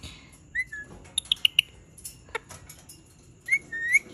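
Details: Indian ringneck parakeet described as angry, making a few brief high clicks and ticks followed by thin, shrill whistled notes rising at the end, in a quiet indoor setting.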